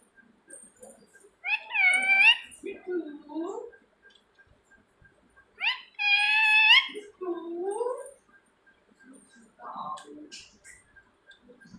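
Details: Pet rose-ringed parakeet indoors giving two loud, raspy screeches with rich harmonics, each followed by lower, shorter squawks, then softer chatter, with quiet pauses between.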